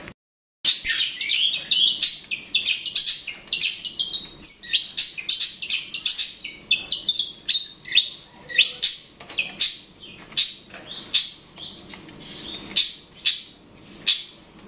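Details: Long-tailed shrike vocalizing to provoke a rival, a dense, rapid chatter of scratchy high notes and sharp clicks running almost continuously, varied and mimicking-like, with loud spiky accents throughout.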